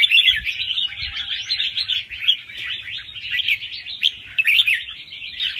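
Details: Young wild red-whiskered bulbul's soft, fast-cycling song with doubled notes, for playback to energise other birds: nonstop twittering warble of quick slurred notes, with a few soft low thuds early on.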